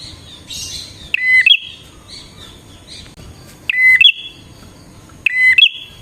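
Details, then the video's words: Lure song of a bar-winged prinia: loud, clear phrases of a flat whistle ending in a quick upward flick, given three times with gaps of over a second and faint high chirping between them. "suara burung prenjak gacor ini 💯% Paling Ampuh buat pikat dan pancingan prenjak bahan"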